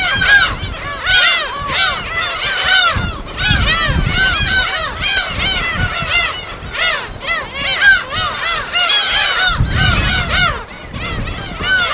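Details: Large wild gull colony on an uninhabited Yellow Sea island, Korea, on-site recording; constant clamour of overlapping arched, nasal cries from many birds, rising in dense bursts, with waves breaking underneath.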